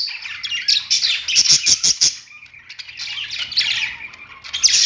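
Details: Pet budgerigars singing on a perch, a busy chirping warble of rapid high notes with a burst of quick clicking pulses near the middle and bright whistled chirps throughout.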